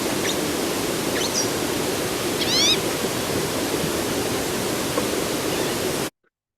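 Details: A Green-tailed Towhee in the mountains of southern California gives three or four brief high calls, little-known and easily confused with Violet-green Swallow, one a quick chirping cluster of stacked notes, over a steady rushing hiss like running water.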